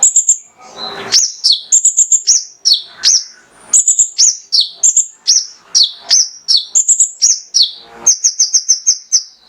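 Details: Male Mangrove whistler delivering 'tembakan' burst song as a master recording to spur other birds: steady chains of high slurred whistles and chirps, ending in a rapid trill-like series of repeated piping notes.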